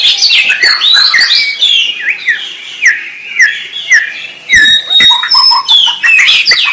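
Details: White-rumped shama song: rich, varied whistled phrases sliding up and down, mixed with sharp chips and clicks, loud and continuous with short pauses.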